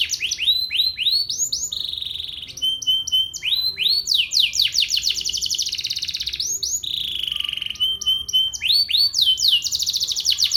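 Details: Canary singing during morning sunning: a long, continuous, high-pitched song of rapid rolling trills, buzzy repeated phrases and sweeping whistled notes, loud and unbroken throughout, with a faint low background hum.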